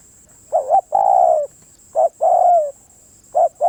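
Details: Spotted dove song: about three phrases roughly 1.5 seconds apart. Each has a short two-part coo, then a longer sustained mellow coo. A constant thin high whine sits in the background.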